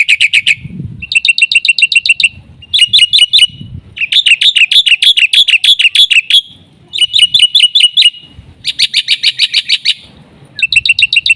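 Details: Black-winged myna singing actively, a full song with fill-in phrases played as a lure to tutor other mynas: bursts of rapid, bright chattering notes repeated in runs of one to two seconds with short pauses between.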